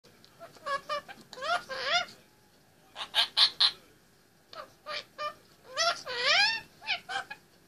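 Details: Indian ringneck parakeet, a pet 18 months old, talking and singing on top of its play stand: bursts of mimicked speech-like syllables with sweeping harmonic tones, in phrases separated by short pauses.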